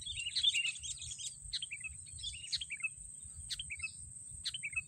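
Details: Sooty-headed bulbul heard while being trapped with snare sticks: short phrases of sharp notes falling in pitch, repeated about once a second, with a constant thin high whine in the background.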